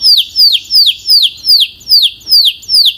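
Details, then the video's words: Belgian canary singing a loud, clear tour of sharply descending whistled notes, about eight evenly spaced sweeps in three seconds, each falling steeply and repeated at a steady pace. "The Strongest Belgian Canary Singing Voice - Powerful and Clear"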